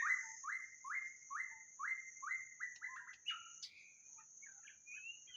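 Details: White-rumped shama song for luring: a regular series of short rising whistled notes, about two per second, breaking into quick varied twitters and a rising squeak, with a steady high whine behind.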